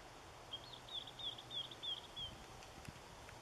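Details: At Kasumi Park, 13 October 2013, a White wagtail gives six sharp, descending whistled notes about three per second, evenly spaced, then falls quiet amid faint ambient noise and a few light knocks.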